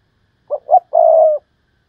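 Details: Thúc lợi cốt call from a decoy spotted dove: a pair of short rounded coos followed by a long, even, slightly coarse coo, with silence around it.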